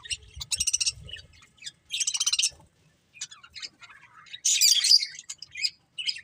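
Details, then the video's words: Budgerigar chirping in short bursts: quick trilled runs of rapid pulsed notes, scattered single chirps, then a louder scratchy squawking burst. "Beautiful Budgies Chirping Sounds"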